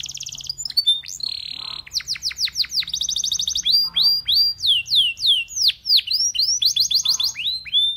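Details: A singing Belgian canary urges other canaries to sing. There are buzzy sustained notes, fast descending sweeps, a brief rolling trill, and long strings of rising and falling whistles, steady and loud throughout.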